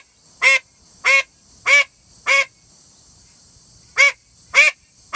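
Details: A female call duck quacks loudly and insistently: four harsh, nasal quacks at a brisk pace, a pause of over a second, then two more quacks.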